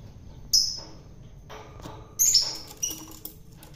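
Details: Long-tailed shrike taken from the wild, being hand-fed to tame it; two short, shrill, high squeaky screeches, the second followed by a few fainter chirps, with light rustling and handling noise between.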